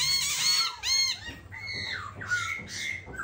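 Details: Silver-eared laughingthrush, caged songbird singing in ôm cóng style: harsh, ringing squawk-like notes followed by long downslurred whistles and rising slurs, loud and close.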